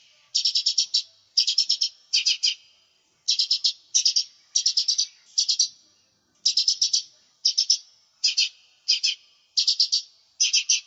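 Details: Lesser green leafbird singing hard, recorded to lure and train other birds: a steady series of short buzzy stuttered bursts, each a few rapid clicks, repeated about once a second against silence.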